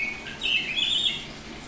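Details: Brief snatch of song from a semi-tame Bali-type oriental magpie-robin: a thin high note followed by a sustained, slightly wavering clear whistle.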